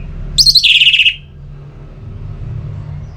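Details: Song of an Orange-headed thrush, played as singing stimulation: a single short phrase opening with high sharp notes, then a run of fast buzzy trilled notes falling slightly, lasting under a second, followed by quiet hum.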